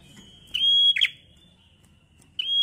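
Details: Prenjak, the bar-winged prinia, singing a 'gacor ngalun' style song used to stimulate other birds: one long flat high whistle closing with a rasping chip, a pause, then the next whistle starting.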